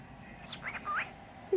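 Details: Pet cockatiel talking, giving a short run of thin, whistled, speech-like syllables that slide up and down, ending with a brief louder, lower note; quiet room background.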